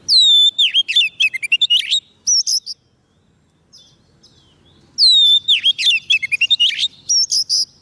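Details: White-rumped shama song used for calling wild birds: a loud burst of clear whistles sliding down, followed by quick sharp chirps and rattling notes, a short pause, then the same phrase repeated about five seconds later.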